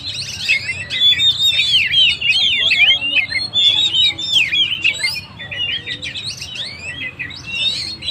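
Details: Oriental magpie-robin song intended to provoke and excite stressed birds: bright whistled phrases with quick up-and-down slurs, sustained loud for five seconds, then softer scattered chirps toward the end.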